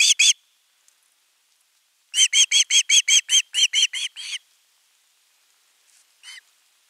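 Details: Osprey at a nest camera on 10 August 2021, calling at length for fish before a whole fish is brought: a quick run of about ten clear, whistled, slightly downslurred chirps, with a single call before and one faint call after long pauses.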